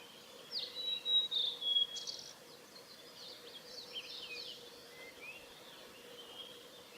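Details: Male blue-and-white flycatcher singing on 6 May 2015 along the Hayatogawa forest road at Lake Miyagase, Japan: a few clear, high whistled phrases early on, one sliding down, then softer twittering notes over a steady low hum.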